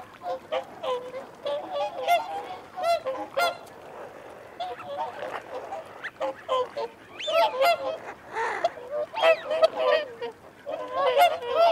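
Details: Whooper swans in a feeding and territorial chorus with wigeon and mute swans. Clusters of bugling honks come in waves, with a quieter lull around the middle and whistled notes mixed in later.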